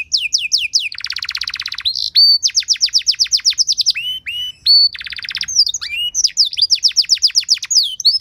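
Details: Canary singing an elaborate training song meant to get other canaries singing: quick descending sweeps alternate with two long buzzy rattles, followed by bursts of fast chirping slurs, all high-pitched and continuous.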